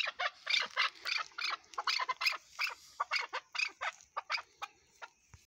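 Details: Harsh, clucking chukar partridge notes come in a quick, loud series throughout, each note short and raspy, tapering off near the end.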